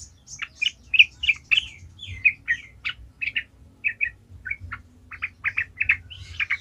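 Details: Sooty-headed bulbul in steady, vigorous song, used to lure other bulbuls into singing: a long series of short, bright chirps and slurred notes delivered irregularly, about two to three per second.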